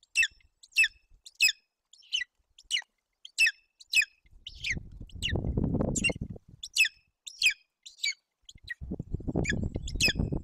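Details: Golden eagle eaglet at a Bucovina, Romania nest, June 8, 2021, while its mother feeds it roe deer fawn: repeated high, thin squeals, with low rustling and tearing noises of feeding breaking in twice.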